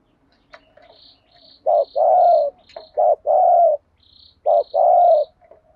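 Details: Spotted dove used as a decoy bird, calling to lure others in a THÚC GÙ style; loud low coos in short-then-long pairs, three phrases, with faint high chirps from another bird between them.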